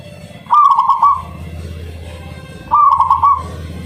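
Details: Zebra dove of local stock, kept as a lure to set other doves singing: two clear, bubbling, rolling coos about two seconds apart over faint low rumble.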